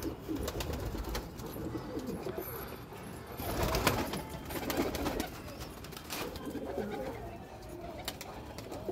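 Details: Red desi highflyer pigeons in India, housed birds: soft, throaty cooing murmurs repeating throughout, blending from more than one bird, with sharp clicking and flapping noises breaking in now and then.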